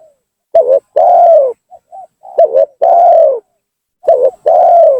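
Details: Spotted dove lure call to draw rival doves down: loud repeated phrases of a quick doubled coo followed by a long arched coo, about three phrases with small soft notes between.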